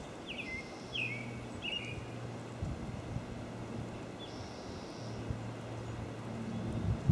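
An American robin gives three quick, sharp downslurred chirps about a second apart, then a fainter one, over a steady low engine drone.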